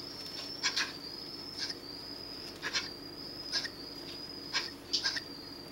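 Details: Three young Eurasian scops owls, fallen when their nest tree was felled and now eating voraciously at a rescue centre in July 2012, give short, harsh hissing calls about once a second, some in quick pairs, over a high insect-like whine.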